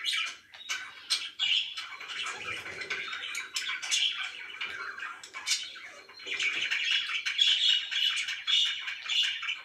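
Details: A group of household budgerigars warbles steadily. Gritty chirps and twittering notes overlap, with a short dip near the middle and then a louder run of chatter.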